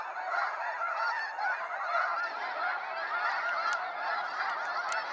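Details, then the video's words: Sunset fly-out of snow geese, Sacramento National Wildlife Refuge: a steady roar of many high, nasal honks overlapping without pause, a few sharper clicks or snaps standing out briefly. "Waves of Snow Geese Sunset Fly-out"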